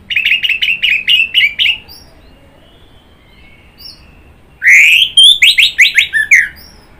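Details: Orange-headed thrush (anis merah) with about ten fast, sharp repeated notes, a quiet gap, then a loud burst of rich, varied warbling notes.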